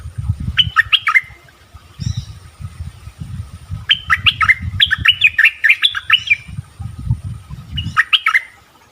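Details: Bulbul, known as merbah, heard for luring: repeated short, liquid, warbled phrases of quick up-and-down notes, given in bursts over a steady low rumble and handling noise.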